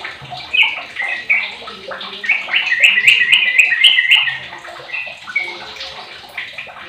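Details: A sooty-headed bulbul, a 15-year-old bird used as a lure to get other bulbuls singing, gives a fast run of bright whistled notes around the middle, preceded and followed by quieter chatter and faint background noise.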